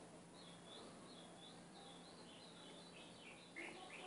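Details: Ultramarine grosbeak song played to train a caged seedeater: soft, continuous warbled phrases of sliding notes that rise and fall, with a steady low hum underneath.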